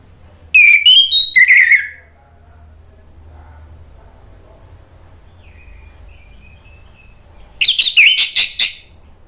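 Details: Orange-headed thrush song used as a lure to make other thrushes answer and sing: loud whistled phrases with rapid buzzy notes near the start and end, separated by several seconds of quiet with a faint thin whistle and low hum.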